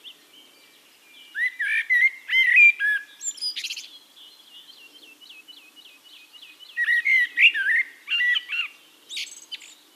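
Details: In Castricum, the Netherlands, a Eurasian blackbird sings two bursts of mellow, fluting whistled phrases separated by a quieter gap, each ending in squeakier high notes. A rhythmic high-pitched trilling from other birds carries on between phrases.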